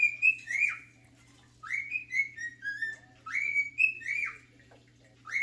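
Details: Male cockatiel whistling his favourite tune: three phrases of clear warbled whistles that rise, level off and drop, each lasting over a second, with a constant low hum behind.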